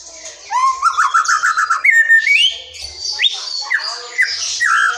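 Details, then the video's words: White-rumped shama from the forest singing, a lure for mute or young shamas: a rising whistle into a quick rippling trill, then sliding whistles and high scratchy notes. "SUARA MURAI HUTAN GA ADA LAWAN, SIAP PANCING MURAI BISU DAN BAKALAN"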